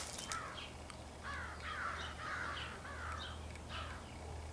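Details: A large gathering of crows, perhaps choosing mates, recorded on 4 April 2015: faint, hoarse caws in a loose run of about six notes, with a steady low hum underneath.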